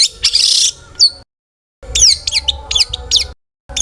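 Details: A long-tailed shrike sings to provoke other shrikes. A harsh noisy burst is followed by sharp, steeply downslurred whistled notes, separated by short silent cuts.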